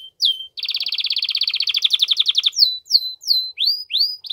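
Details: Canary in strong mating-stimulation song: a sliding whistle, then a dense two-second rolling trill, followed by a series of looping rising and falling whistled notes.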